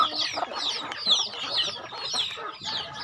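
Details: Home-kept chickens being fed on a rural farm: rapid high descending peeps from the flock, roughly one burst per second, over soft lower clucking.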